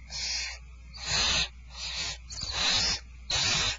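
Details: Barn owls at Starr Ranch as dinner is served, 2/1/12: long raspy hisses, loud ones alternating with softer ones, each lasting about half a second, with a constant low hum in the background.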